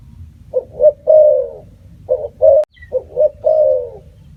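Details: Spotted dove calling in quick succession: three phrases of short coos each ending in a longer falling note, one sharp click midway, low hum underneath.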